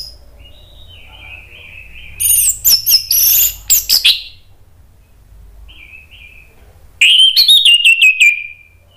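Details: Agitated Orange-headed thrush song, played to provoke other birds into singing: soft, warbling notes lead into two loud bursts of sharp, high, clipped notes and trilled whistles, ending on a falling, drawn-out whistle.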